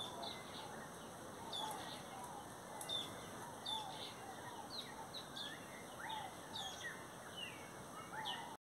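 Social flycatcher giving short, sharp, high chirps and squeaky notes at irregular intervals, over a steady hiss of background noise.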